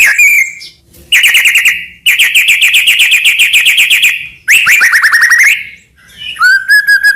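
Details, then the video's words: Shama master song to stimulate other shamas, dominated by harsh rattling trills: several long steady rapid rattles, one rising at the end, followed by a short clear whistled phrase. "burung murai cocok untuk masteran gacor isian banyak"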